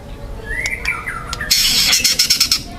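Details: Young wild forest white-rumped shama in loud, dense song with harsh 'kasaran' material: a few clear slurred whistles open, then a sudden fast, scratchy, buzzy rattle of repeated notes fills the second half.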